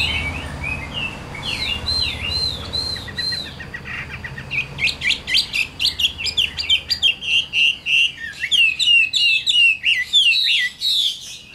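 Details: Adult wild-caught Chinese hwamei of 'Tam Hoàng' quality, caged in Vietnam. Looping whistled phrases start softly, then swell into a long, loud, rapid medley of varied slurs and trills, with the rhythm pulsing several times per second.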